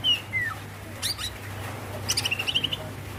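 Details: Female greater green leafbird calling to the male, giving a descending whistled slur, then a quick run of bright chirping notes near the end, over a constant low hum.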